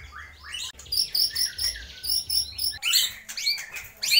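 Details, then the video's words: White-rumped shama singing vigorously, its song said to copy lovebird, kapas tembak and pijantung gunung: a dense run of high whistled slurs, upward sweeps and bright chips in quick bursts about every quarter second, with a short break partway through. "MURAI BATU GACOR || TEMBAKAN Love bird,kapas tembak dan pijantung gunung"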